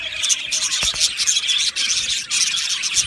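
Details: Budgerigars in an aviary singing and chirping: dense high twittering with clear whistled pips scattered above and a couple of sharp knocks early on.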